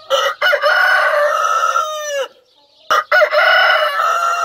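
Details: Rooster crowing loudly: one sustained, strident crow with a falling finish, a short gap, then another crow beginning.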